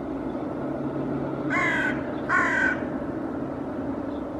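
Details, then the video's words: Hooded crows reacting to a common raven behind a cliff in Helsinki, Finland, 8 May 2024, trying to drive it off after it pulled apart a pigeon carcass; two loud, harsh, rasping caws in quick succession over low background rumble. "Hooded Crows reacting to Common Raven"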